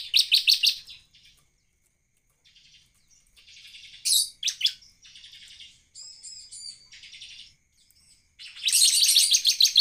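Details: Bar-winged prinia in energetic song, used as a lure to prompt other prinias to sing: bursts of fast, high, buzzy chips open and close the stretch, with softer scratchy notes and brief pauses between.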